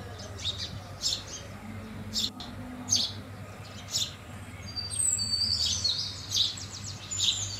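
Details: House sparrows giving sharp, high chirps in irregular series, with a brief faster twittering burst near the end over a low, steady background hum.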